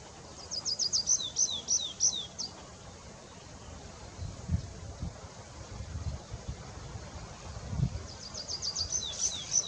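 Tree pipit song: quick runs of eight or nine thin, high, sharply repeated notes, two phrases a few seconds apart, over a low rumble of distant noise.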